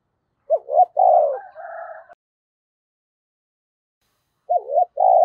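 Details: Caged decoy spotted dove giving 'thúc' and 'gáy gọi' calling coos: two short hooked notes, a longer rolling coo, then a softer wavering phrase with a faint higher buzzy layer; the pattern starts again after a pause.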